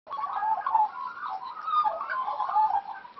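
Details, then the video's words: Wild Australian magpies, raised by their parents, playing together; a continuous mid-pitched warbling chatter with quavering, gurgling notes, swelling and fading. "Australian Magpies Playing"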